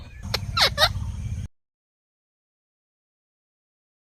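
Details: Ringneck parakeet voicing a funny talking sound: a quick pair of grating, sliding notes with a raspy buzz underneath, lasting about a second and a half, then silence.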